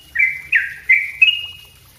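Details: Sooty-headed bulbul song used to train other songbirds: four clear whistled notes in quick succession, each starting with a sharp attack then holding a level tone, the last slightly higher; quiet low background hum.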